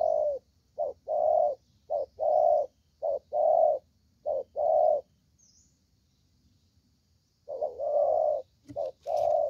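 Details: Spotted dove song of paired hollow coos, several pairs in a row, then a pause of about three seconds before the cooing resumes, with a brief high chirp and a click nearby.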